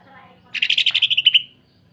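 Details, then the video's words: Greater green leafbird in full rough song, a style used to train and provoke other leafbirds: a tight sequence of buzzy, scratchy pulses lasting about a second, the final notes clearer and more whistled. "MASTERAN DAN PANCINGAN Cucak Ijo. Kasaran Rapat Mesin Jahit dan Suara Aneh"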